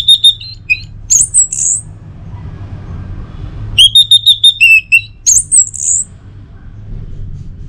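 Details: Orange-headed thrush song, played in the morning to prompt caged birds at home to sing: high thin whistles, a buzzy repeated note series, then sharp slurred notes, in two similar phrases over a low steady hum.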